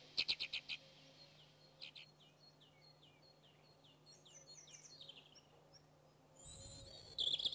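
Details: Alpine accentor, a rare or passage bird in Corrèze, France, calls: a burst of sharp clicks, then quick high chirps sliding downward about three per second, ending with a rush of noise and thin high notes.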